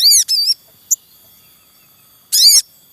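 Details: Wild Javan munia family at the nest, a male calling: two quick shrill arched squeaks back to back, a tiny tick, silence, then one more loud high squeak.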